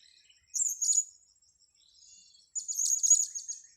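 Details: Trapped-on-grass blue-crowned hanging parrot calling: a short burst of thin, shrill, high chirps, a pause, then a longer rapid chattering run of piercing notes, with a faint steady insect whine.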